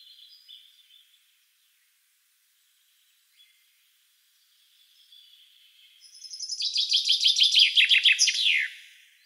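A common chaffinch delivers a bright, accelerating cascade of descending notes ending in a flourish, after some faint high chirps from other birds.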